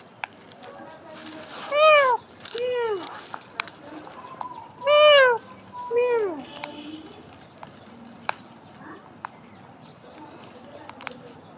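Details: Alexandrine parakeet calling: loud, harsh, downward-curving squawks in two bursts, around four calls in total, then a stretch of quieter background with scattered clicks and taps.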